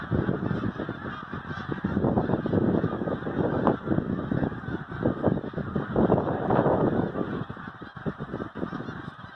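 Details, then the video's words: A snow goose flock during migration fills the air with steady, loud, overlapping honks and barks, a crowded chorus that barely varies in strength. "Snow Geese Migration"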